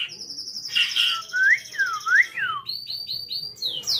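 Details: White-rumped shama of the Jabo type at Cipinang Muara, Jakarta, singing a rich varied song: sliding whistled notes rising and falling in loops, bursts of rapid high trills, and a run of short repeated high chips near the end.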